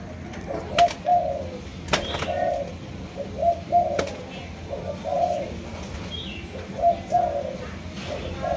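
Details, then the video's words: Malaysian-line spotted dove cooing quietly in spaced pairs of low, hollow notes, interrupted by several sharp clicks and knocks in a small room. "Cu Gáy Malaysia Nhiều Dòng"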